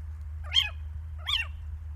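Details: Two sharp, arched mewing calls, rising then dropping, about 0.7 seconds apart, from little owls at Lichtenvoorde in mid-January 2024. A low background hum runs throughout.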